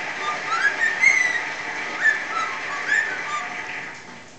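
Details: Young pet cockatiel singing remixed tunes over background noise; a few clear rising whistles and short slurred notes spaced about a second apart above a steady hiss.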